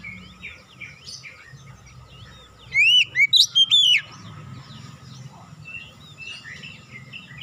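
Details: An oriental magpie-robin sings a lure phrase borrowing tit song: one loud burst of four or five ringing whistled notes, rising then dropping, amid soft background twitters and a low hum.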